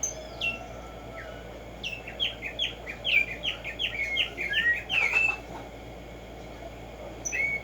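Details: Morning song of the Black-striped sparrow (Arremonops conirostris), locally tico tico: a few whistles, then a busy cluster of quick chirping notes and slurred phrases, followed by quieter single whistles.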